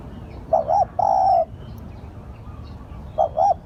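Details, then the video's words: Spotted dove calling as a lure: two short rising coos then a long level coo near 700, phrase repeated about every 2.7 seconds over faint background hiss. "Tiếng chim cu gáy gọi hay / เสียงต่อนกเขาได้ผล100%"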